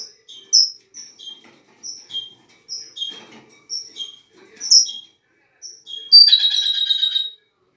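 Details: Red-rumped parrot song, played to stimulate a male and female to mate: clear, high whistled notes in quick pairs, repeating about every half second, ending in a loud buzzy, chattering burst.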